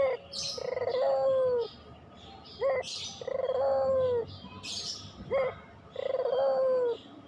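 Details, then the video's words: Three cycles of a pelung Barbary dove's song: a quick upward note leading into a drawn-out, trembling coo that sags at the end. Bright twitters of other birds are heard between phrases. Used as a lure for reluctant singers. "masteran puter pelung, 100% AMPUH pikat PUTER MALES BUNYI JADI GACOR MANGGUNG, PANCINGAN PUTER"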